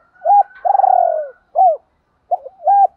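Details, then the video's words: Male and female spotted doves calling to provoke a rival: a short hoot, a long rolling coo, a clear arched note, then a pause and two more low hoots. "tiếng chim cu gáy kích bổi"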